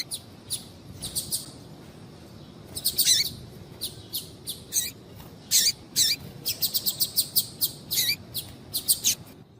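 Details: Female double-collared seedeater (coleiro tui tui) calling to stimulate a male: an irregular, fairly dense stream of short, sharp, high-pitched chips, some doubled or in quick clusters, with a soft background hiss.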